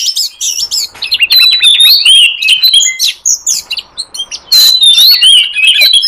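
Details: Oriental magpie-robin lure song for calling wild forest birds: a dense, fast, varied stream of whistled and chattering notes, sweeping slurs and trills with hardly any pause.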